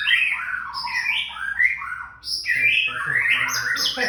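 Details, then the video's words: Young white-rumped shama singing a thin "trakk" sequence of loud, tumbling whistled notes and rapid warbles, with a short dip in the middle before a richer, higher burst. "Trakk tipis” murai muda"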